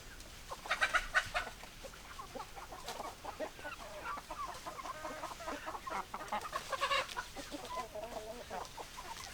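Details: A flock of chickens clucking and murmuring continuously, several hens overlapping in soft, rapid notes, with a couple of louder squawking bursts near the start and again near the end.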